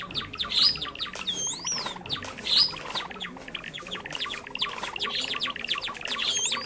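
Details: Java sparrows calling, a recording meant to lure birds for trapping: continuous crowded twittering of sharp chips, broken by a few bright looping whistles early on, steady throughout.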